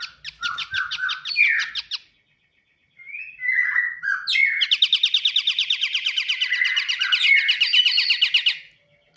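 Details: Pied triller opening with scattered chattering notes and short whistled slurs, then a long, rhythmic trill of rapidly repeated buzzy notes running for about five seconds before stopping abruptly.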